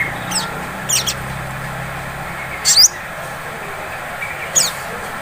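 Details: Sunbird lure recording in the 'ngleper' style, used to provoke other sunbirds into 'ngriwik' singing: short, very high, sharp descending chirps, single or paired, spaced irregularly over a steady background hiss.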